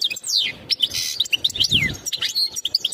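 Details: Short burst of European goldfinch mating calls aimed at preparing the female for breeding: quick descending slurs, a harsh buzzy note and tinkling chirps packed into three seconds.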